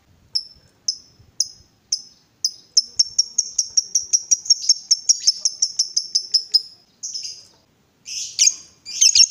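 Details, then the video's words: Lovebird, excited and provoked to call. Spaced shrill chirps accelerate into a dense chattering run, followed by several harsh, rasping screeches. "Lovebird diam langsung Nyambar, Emosi Naik Gacor Ngetik Lanjut Ngekek"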